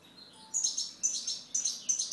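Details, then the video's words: European goldfinch singing: four short, bright, descending twitters about half a second apart, each a high tinkling burst, over a quiet background. "Chant Chardonneret"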